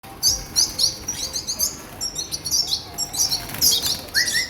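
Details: Red siskin (Spinus cucullatus) chicks, captive-bred, beg while being fed with a rapid, continuous stream of thin, high chirps and squeaks, about two to three a second, rising in bursts.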